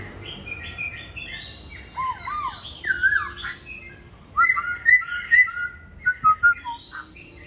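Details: Home-kept laughingthrush in Hanoi, Vietnam, its tail in molt: varied song of downslurred whistles and swooping notes, ending in a run of about six loud, rhythmic whistled notes with short pauses.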